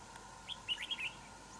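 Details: Red-whiskered bulbul answering a decoy bird in a territorial trap fight, giving a brief run of five liquid, slightly slurred notes in under a second against faint background hiss.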